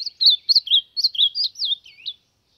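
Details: Ultramarine grosbeak singing to warm up: a quick run of warbled, slurred whistles, each note swooping up and down, tightly strung together for about two seconds before stopping cleanly.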